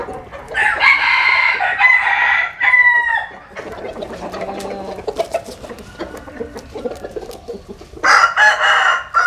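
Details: Roosters, Asil and Cuban-type fowl sunning in rural southern Vietnam: a harmonic crow ending in a short falling note, then scattered clucks and clatter, and a loud new crow bursting in near the end.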